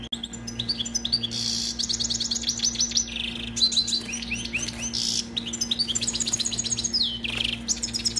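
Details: European goldfinch, a kept bird, singing for young goldfinches to learn from: a dense, continuous stream of rapid high twitters, buzzy trills and liquid chirps over a constant low hum.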